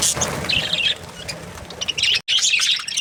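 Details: Australian budgies giving quick chirps and scratchy twitters in bursts, over a low background rumble, with a brief dead-silent gap near the end before the chattering resumes.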